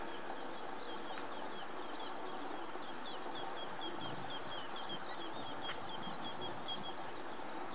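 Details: Eurasian skylark singing from a post in Noda, Japan, on 4 June 2014. A continuous stream of high, twittering warbled notes runs throughout, faint against a steady loud low rumble of outdoor noise, possibly a passing train.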